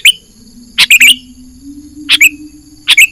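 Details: Sooty-headed bulbul lure call for wild bird trapping, bright stacked chirps with a falling whistled slur, three phrases at uneven gaps, a low steady drone underneath.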